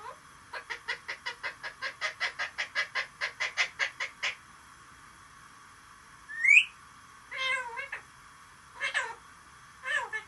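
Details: Mimicking parrot gives a rapid train of clucks, then a short rising whistle, followed by several meow-like calls spaced a second or more apart.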